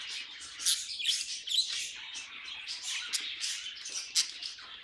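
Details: Several budgerigars kept as pets produce a lively warbling chatter, bursts of squeaky chirps and buzzy notes with a few louder sharp chips punctuating the stream.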